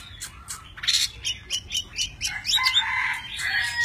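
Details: Tame Oriental magpie-robin singing in many voices while dancing, spreading its wings and fanning its tail; varied whistled and chirping phrases, short notes at first, then a run of rapid sliding whistles and a sustained warble.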